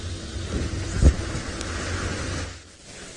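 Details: Steady low rumble from a vehicle and wind, with one dull thump midway and no animal voice.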